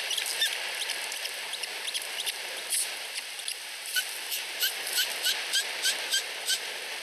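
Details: Two osprey chicks less than a week old in a nest in Finland, competing for food from their mother; thin high piping calls repeated in quick series, growing denser toward the end, over steady background hiss.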